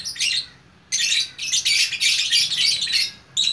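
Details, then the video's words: Lovebird from West Sumatra's Bukittinggi, a single fighter bird, gives a short burst of shrill chatter, falls silent for a moment, then launches a longer, harsh, continuous twittering run. "Burung Lovebird Gacor Orkestra"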